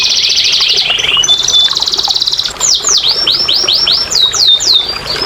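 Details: Canary singing to prompt quiet canaries into song: opens with a fast buzzy trill, shifts to a steady high rattle, then a run of clear downward-swooping whistled notes about three per second.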